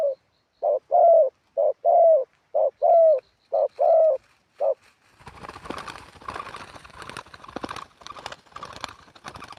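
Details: Decoy spotted dove used for ground trapping, giving a sweet wild-style song: paired low coos, one short and one drawn-out, repeated rapidly for about five seconds. Loud rustling and handling noise follows and covers the rest.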